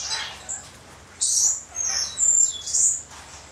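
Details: Josephine's lorikeet, a kept bird belonging to a friend, recorded 24 August 2012: short, high, shrill screeching bursts, several in quick succession with brief pauses, over a low steady hum.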